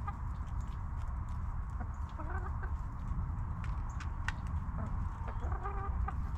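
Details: Backyard hens relaxing in their coop give short harmonic clucks in two loose bursts, the first near the middle and the second toward the end, over a steady low rumble with scattered clicks and rustles.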